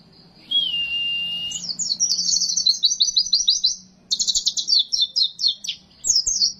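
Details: Oriental white-eye, a masteran training recording: a long steady whistle, then fast repeated high trills in dense runs, a short pause, and more rapid chattering phrases.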